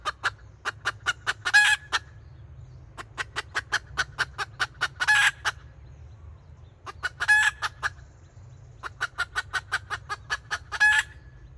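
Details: Red junglefowl hen used as a decoy, calling in kataak style in 2024. Long runs of crisp, repeated clucks alternate with four loud, grating squawks spaced a few seconds apart, with short pauses between runs.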